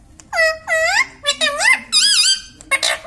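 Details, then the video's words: Pet green Indian ringneck parakeet chattering mimicked words indoors: a fast run of nasal, wavering syllables with sliding pitch, ending in a harsh burst. "Mitthu Mitthu Bolne Wala Batuni Tota - Talking Parrot"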